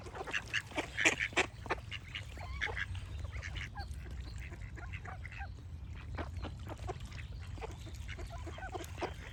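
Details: A burst of loud, rapid duck quacks opens, about three a second, then fades to scattered, quieter quacking over a low constant rumble.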